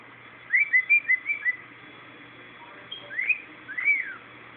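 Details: Dodo, a male pet cockatiel that likes to sing to a paper towel, sings a quick run of clear, bright whistled notes, then a few longer swooping whistles.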